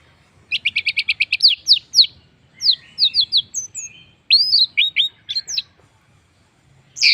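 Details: Orange-headed thrush singing as a lure for other birds: opens with a fast series of repeated chirps, then scattered slurred whistles and rising-falling notes, ending after a short pause.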